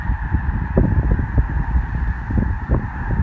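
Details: A stopover flock of snow geese during migration in Columbus, Nebraska, giving a constant wall of honking calls, many birds at once, beneath gusty low rumbling wind noise.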